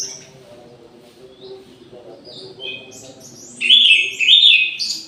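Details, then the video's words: Quiet scattered high notes give way to a loud, rich burst of warbling near the end as an orange-headed thrush sings at midday in an aviary, with a low drone throughout. "ANIS MERAH GACOR DI SIANG HARI"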